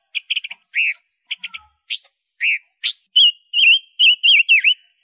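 A loud, quick song from a silver-eared mesia: bursts of sharp chirps, then a run of clear, slurred whistles rising and dipping, about two or three notes a second.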